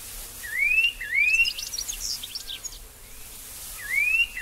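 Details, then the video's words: Two upward-sliding whistled notes from a Restless Flycatcher, Australia, then a jumble of thin, high chips and scratchy notes, and after a pause one more rising whistle; quiet background hiss. "Restless Flycatcher"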